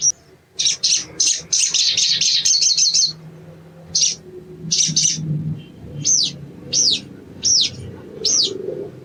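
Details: {'caption': 'Sogon (ruby-cheeked sunbird) sings a fast string of buzzy high notes for about three seconds, then after a pause gives five separate clear arched whistles about half a second apart.'}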